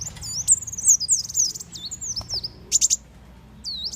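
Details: Sunbird call used as a trapping lure: slurred, very high whistles sliding down in pitch, joined by brief ticking notes and a burst of three sharp clicks, then a final rising whistle.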